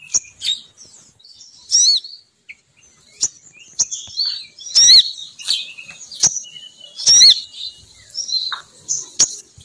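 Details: High, thin chirps and squeaky twittering phrases from a female sogon bird, a lure call meant to attract males down, coming in irregular bursts with clicking notes between them.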